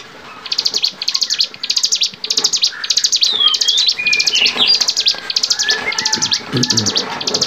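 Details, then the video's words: Bar-winged prinia song used to train songbirds: an almost unbroken chain of loud, buzzy, rasping high notes, evenly spaced about twice a second. Faint whistles of other birds sound behind. "masteran cigun gacor variasi"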